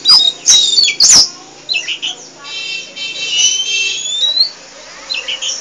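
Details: Chatty poci Oriental magpie-robin singing without pause: loud sharp clicks at the start, then drawn-out high whistles and short warbled chirps spaced through the phrase.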